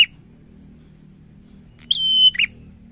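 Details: Single song phrase of a bar-winged prinia after near silence: a sharp high onset, a steady whistle held about half a second, then a short lower buzzy double note.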